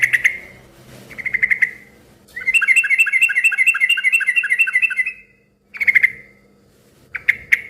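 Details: Lively yellow-vented bulbul sound meant to coax other bulbuls into responding: a few ringing note groups, then a long fast rolling trill of nearly three seconds, then more single sharp notes.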